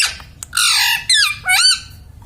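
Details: Pet green ring-necked parakeet imitating household words such as "mummy" and "papa" in Hindi: three loud harsh squawky syllables with wavering harmonics over about two seconds, indoors.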